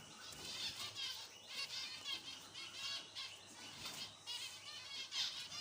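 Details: A busy flock of captive zebra finches fills the air with nasal, toy-trumpet beeps and chatter.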